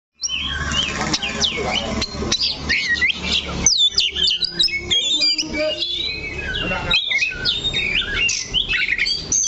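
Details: Oriental magpie-robin perched steadily on one spot on its perch, singing a varied run of loud whistled phrases, sweeping up and down and tumbling together, over a steady low hum with faint background music.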